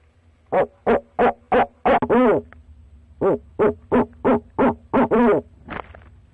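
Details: Calling to his mate from the nest box, a male barred owl gives two bursts of about six evenly spaced hoots. Each burst closes with a drawn-out, wavering hoot, and there is a short silence between them.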